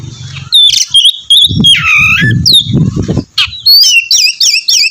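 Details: Loud Oriental magpie-robin song used to coax another to sing, mixing bright whistles, a descending swoop and fast rising-falling repeated notes at the end, with low thudding noises underneath.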